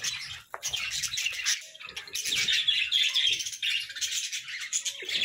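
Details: Morning chatter of budgerigars, a busy stream of high twittering, squeaky chirps and warbled phrases that rise and fall without pause, with a brief sharp click near the start.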